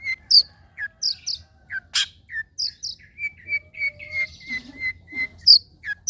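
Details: Long-tailed shrike song used to draw captive birds into singing: clear mid-pitched whistled notes in a steady series, mixed with sharp high chips, one loud buzzy burst, and a faint low note near the end.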